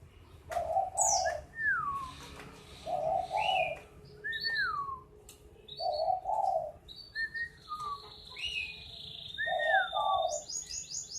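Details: Repeated phrases of a black-naped oriole: mellow low double warble followed by a whistled note sliding downward, about every three seconds, with high thin calls and a buzzy note from other birds.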